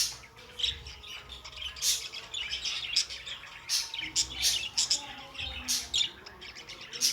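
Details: Budgerigars kept as pets chirp and warble, bright scratchy notes in repeated bursts with short pauses, a faint low hum underneath.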